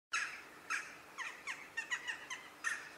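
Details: Western jackdaw, a medium-sized black crow with grey nape, giving a series of short, harsh, squawky 'chak' calls, about nine notes in three seconds, some clipped and downslurred, spaced irregularly.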